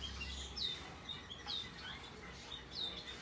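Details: Hand-tame rosy-faced lovebird chick, white-face Australian cinnamon color, recorded 3 April 2022: three sharp, high downward-sweeping chirps spaced unevenly over about three seconds, over a low steady hum indoors.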